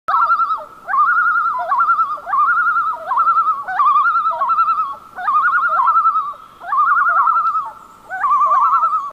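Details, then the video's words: A common loon at night gives loud, wavering, laughing phrases, each opening with a rising note, repeated about every second and a half, with no other sounds. "Loon Sounds At Night - Common Loon Call / Loon Call"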